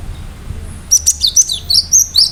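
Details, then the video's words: Cinereous tit in full song, a sharp burst meant to provoke other birds into answering. After a quiet second, a rapid string of high, clear, sliding whistled notes follows with faint low background hum. "Gelatik batu gacor awas burung mu akan ikutan gacor"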